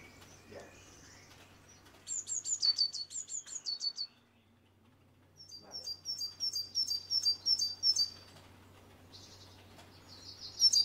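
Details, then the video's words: Great tit visiting an office-window bird feeder with walnuts, hazelnuts and seeds: quick series of thin, high, descending notes, a short pause, then a longer rapid run of sharp repeated notes and a final buzzy phrase, over faint low hum. "Kaskabeltz handia (Parus major)"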